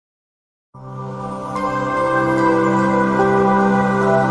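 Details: After a brief silence, soft sustained ambient music swells in and continues, with no animal sound present.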